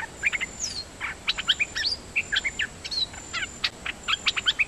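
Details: Nok dok taeng pouring out quick clusters of bright chirps and short whistles at a steady pace, over a constant hissing background, perhaps insects.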